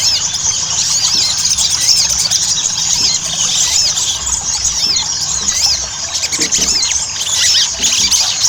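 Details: Chattering Ruby-cheeked sunbird song, used as a lure to encourage sunbirds to sing often: very high, piercing squeaks and looping upslurred notes tumbling over each other, steady and unbroken throughout.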